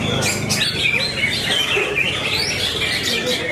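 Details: A greater green leafbird sings at a songbird contest, where it won first place, pouring out a rapid, unbroken stream of high chattering whistles and chirps over other birds and faint background voices.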